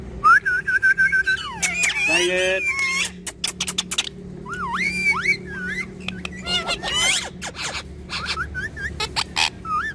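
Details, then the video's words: Pet talking parrot pair opening with a steady buzzy tone, then dense raspy chatter, swooping whistled glides and a long stretch of quick clicking notes, with a faint low hum beneath. "Best Jodi Of Talking Parrot"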